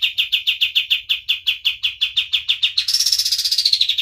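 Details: White-eye singing energetically, a recording suited to tutoring other birds: a steady run of about three chips per second that accelerates into a continuous high, buzzy trill at the end.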